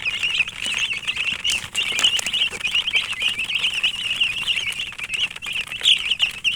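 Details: Many young domestic chicks peep together in a steady, shrill chorus of short high chirps, some rising and falling, with faint rustling and tapping in the background.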